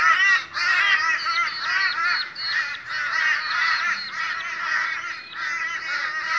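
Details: Noisy morning meeting of Australian crows, a crowd of birds giving harsh, hoarse, wavering caws that overlap continuously, with a low hum underneath.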